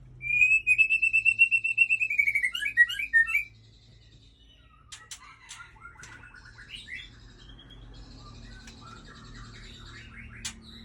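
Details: Aceh white-rumped shama, a breeding bird, delivering a long sustained whistled trill that ends in sharp chattering notes, then a quieter stretch of varied chips and short phrases.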